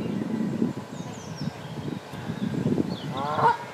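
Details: Canada goose pair at a nest on a pond, the female laying eggs while the male keeps watch; one short nasal honk near the end over a steady low rumble and faint high chirps of small birds.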